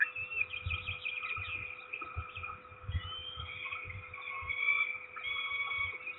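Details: Peregrine Falcons at the nest: the male, surprised that he cannot settle on the eggs after the female arrived, gives drawn-out, wavering, whining calls in overlapping high tones, over low knocks and bumps and a steady electrical hum.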